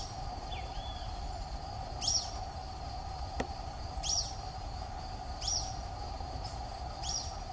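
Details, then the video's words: Wild Social flycatcher in Atlantic Forest, live recording: four or five bright, high call notes spaced about one to one and a half seconds apart, over a constant low droning background with a single faint click. "BENTEVIZINHO de PENACHO VERMELHO (CHAMADO) SOCIAL FLYCATCHER"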